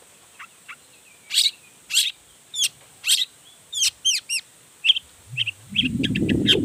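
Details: Long-tailed shrike singing its repertoire to provoke other shrikes: spaced harsh bursts, then hooked whistled notes and quick high chips, with a rumbling low noise rising at the end.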